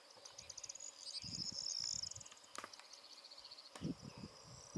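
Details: Yellowhammer (Emberiza citrinella) in Atlantic Cantabrian meadows sings high, thin phrases of quickly repeated notes, two runs in a row, over low wind rumble and bumps.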